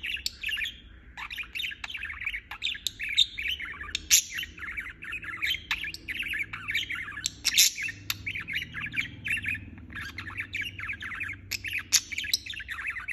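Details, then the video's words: Long unbroken budgerigar chatter of twittering chirps and squeaky warbles, with sharp clicks scattered through it. "Chirping non-stop"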